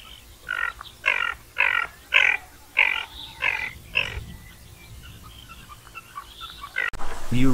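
Ferruginous Duck giving harsh, rasping calls, about six in a quick run roughly every half second, then fading. A brief click and low rumble follow at the end.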